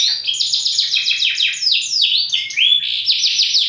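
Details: Rapid canary song from a bottle-green bird: tumbling series of falling high chirps, packed trills and short whistled accents, continuous throughout.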